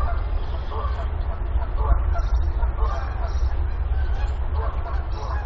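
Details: Mother goose on a nest at Decorah on 28 April 2022 with five active goslings, waiting for her sixth egg to hatch; a run of short, harsh, mid-pitched honking notes over a heavy low wind rumble, with faint chirps from other birds.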